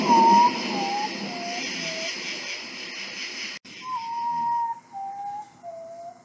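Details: Guajojó or urutaú, the common potoo, calling with descending whistled notes through heavy hiss. After a short cut, a cleaner phrase of three long whistles slides down step by step.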